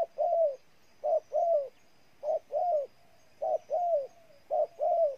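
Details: Cooing of a spotted dove, Ninh Thuận, Vietnam: short clipped note then a longer downward-sliding coo, the pattern repeating at an even pace against a quiet background.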